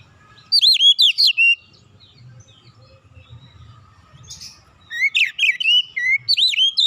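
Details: Relaxed Oriental magpie-robin song for provoking other birds to sing: a quick series of sweet, swooping whistles, a quiet gap of about three seconds, then another lively run of varied whistled notes.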